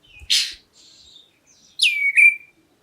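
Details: Calling black-breasted oriental magpie-robin, meant to make other birds answer: a harsh, broad burst followed by a faint whistle, then a loud downward-sliding whistle that levels off into a steady tone.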